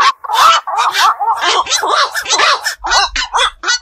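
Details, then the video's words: Black-crowned night heron, a wetland bird of ponds and beels, calling at night with quick harsh squawks, about two per second, uneven and overlapping, some carrying short bent tonal notes. "বাকচু পাখির ডাক. নিশি বক এর ডাক. 4 রাত জাগা পাখির ডাক"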